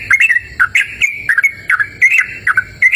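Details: Brief run of yellow-vented bulbul song recorded outdoors in cool natural surroundings: dense, quick bubbling chirps and short liquid whistles tumbling one after another.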